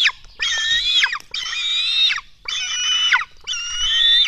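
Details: Nestling black storks at a nest in Latvia, fed at dawn on 24 June 2016. Four long, harsh, buzzy wails of roughly 0.7 seconds each, separated by brief silences, drop in pitch at the end of each cry.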